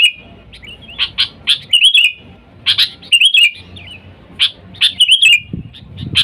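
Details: Sooty-headed bulbul, an energetic caller summoning wild companions, used for luring. Clusters of hard clicks lead into bubbly, down-slurred warbles, three rounds in a row; a low rustling thump appears near the end.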